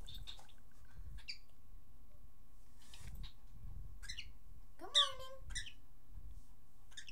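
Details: Male pet cockatiel at home, which says good morning, pretty bird and step up and is fixated on his reflection as a dog tries to play: soft scattered chirps, then one loud, harmonic, speech-like phrase, over low indoor hum.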